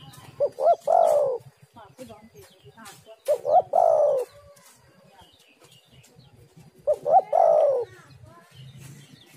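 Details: Female spotted dove calling as a lure: three repeated phrases about three seconds apart. Each has two or three short notes and then a longer, hoarse, falling coo, with quiet background rustles between phrases.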